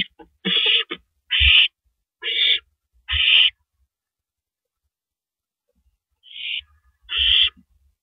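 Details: Owls on a porch at night, 2:15 AM, April 18, 2012: four rough, hissing screeches spaced about a second apart, a long silence, then two more harsh rasps.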